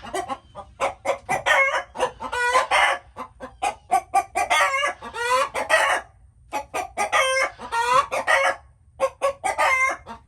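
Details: A group of chickens cackling and clucking almost continuously, choppy notes broken by longer wavering squawks, one clear pause near the middle.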